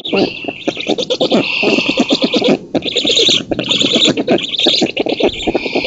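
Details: Wild black storks at an oak-tree nest in Poland on 19 June 2017, nest camera, during feeding by the female and chasing off an intruder; dense, fast rattling pulses mixed with harsh wheezing hiss, almost unbroken.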